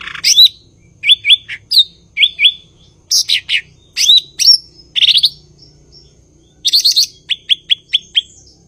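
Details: Energetic cucak ijo, the blue-winged leafbird, gives paired upslurred whistles, a loud cluster of sharp notes, then a run of five short clipped notes spaced evenly near the end.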